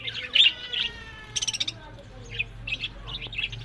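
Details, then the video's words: Pet budgerigars kept for breeding give sparse, sharp chirps and a short buzzy burst, separated by brief quiet spells with a low hum beneath. "Buddies Parrot Voice"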